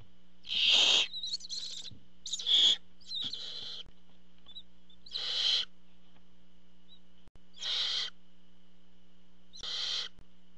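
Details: At a barn owl nest as the father delivers food, a burst of several overlapping rasping hisses followed by four spaced screeches every two seconds, over a low electrical hum.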